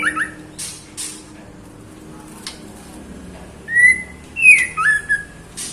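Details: Female white-rumped shama calling the male: a short run of clear whistled notes, slurred up and down, late in the clip, after earlier sharp clicks and soft background hiss.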